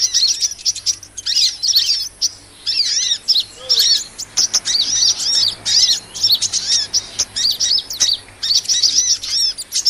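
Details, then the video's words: High, squeaky twittering of a sunbird ('kolibri'), used as a lure sound for small birds: clusters of fast, thin arched chirps repeated in short bursts with clear silences between them. "SUARA PIKAT MP3 BURUNG KOLIBRI"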